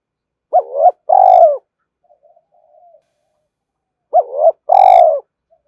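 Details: Spotted dove giving two paired coo phrases, each a short wavering note then a longer steady coo, separated by a quiet gap of about three seconds.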